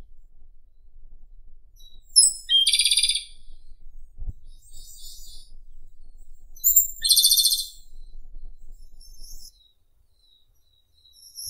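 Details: Japanese robin (Erithacus akahige) singing two songs about five seconds apart, each opening with a high thin whistled note that runs into a fast, ringing, rattling trill; softer twittering phrases sit between them over a faint low background hum.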